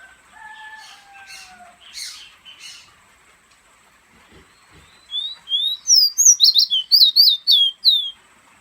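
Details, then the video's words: Pet fire red bird from Guyana perched in a person's hand: two long, clear whistles sliding gently downward, a few soft breathy notes, then a quick burst of sharp, high upslurred chirps repeated several times a second. "Fire red, my bird whistling in my hand"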